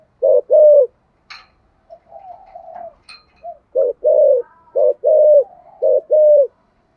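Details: Spotted dove coos used to prompt other doves to coo: after a few soft quieter notes and clicks, a series of paired coos, a short note then a longer sustained one, repeats regularly.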